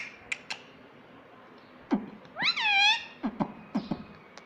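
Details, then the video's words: A single strained, arching syllable from a talking pet ringneck parrot, against a background hum with scattered clicks and taps. "Mummy Papa Bolunga Meto || Parrot Talking || Bolne wala tota"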